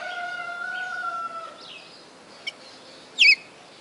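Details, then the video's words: Captive red-cowled cardinal from Fortaleza, Ceará, Brazil, kept for just over four months, its 'perfect song' said to hold more than twenty notes: steady whistled tones, then higher rising notes and a sharp bright upsweep near the end over faint background hiss. "Galo de Campina "o canto perfeito""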